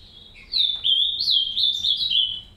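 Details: Green-winged saltator (trinca-ferro) in an aviary, one of a pair caring for their three chicks: a run of high, thin chirps and short sliding whistled notes, loud and close, over faint low background hum.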